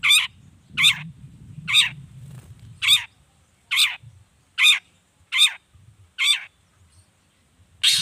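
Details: Long-tailed shrike sounding in the morning, midday and evening to provoke other shrikes into answering. Harsh, buzzy notes are repeated about every second, nine in eight seconds, each a coarse rasp. A low rumbling hum runs beneath the first half.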